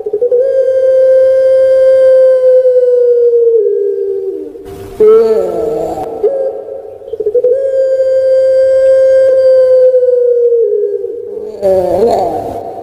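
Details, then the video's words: Kept puter pelung dove from Java, Indonesia, repeating its drawn-out cooing phrase twice: a long level note of about four seconds, easing downward, each followed by a harsh gurgling rattle and a brief hoot. "PUTER PELUNG BERKWALITAS ( Suara Merdu Mengalun )"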